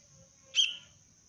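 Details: One bright, abrupt chirp, falling slightly at the end, from a young sooty-headed bulbul in basic lure training, with a faint constant high whine behind it.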